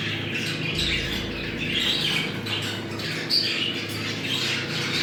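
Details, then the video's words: Budgerigars chatter in a breeding-stimulation call: steady scratchy warbling, a few thin squeaks around 2 and 3.3 seconds, and a low hum in the background. "Muhabbet kuşu kızıştırma sesi. Muhabbet kuşu çiftleşme sesi"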